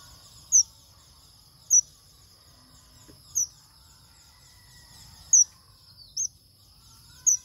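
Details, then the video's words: Highly excited male manh manh bird repeats thin, very high, clipped chirps, six in seven seconds at irregular gaps of one to two seconds, with faint distant sounds and low hum. "Chim Manh Manh | Manh Manh Trống Kích Bổi Cực Xung"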